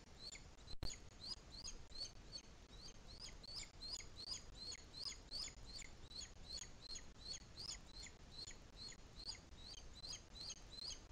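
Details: Nest of a Booted eagle in Spain's Sierra de Guadarrama National Park near Madrid during the 2021 breeding season, with an adult feeding its chick. Rapid series of sharp, high, down-slurred peeps, about two or three each second, with one loud click.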